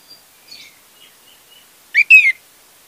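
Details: Orange-headed thrush song as a lure for a bird that will not sing: soft faint twittering notes at first, then a louder pair of whistled notes, the second gliding downward, quiet clean background.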